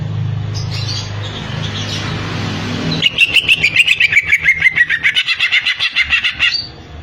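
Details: Greater green leafbird singing: after three seconds of low rumbling background, a fast run of sharp, high chirped notes, about three or four per second, slowly falling in pitch, lasting roughly three and a half seconds.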